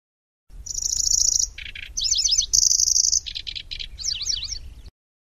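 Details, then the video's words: A Lanceolated warbler, used as song tutor for magpie robins, sings high, very fast, grasshopper-like reeling trills, switching between steady buzzing bursts, lower rattles, sharp notes and wavering twittered phrases. "Suara Burung Kecici Belalang | Nyecret"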